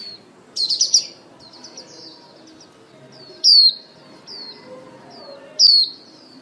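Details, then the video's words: Female lure white-eye calling the flock for trapping: it opens with a quick trill-like burst of high notes, then gives two loud, thin whistles that slide downward, with quieter notes in between. "Tiếng Chim Khuyên Mái Mồi Hót Líu Cực Hay Kích Trống"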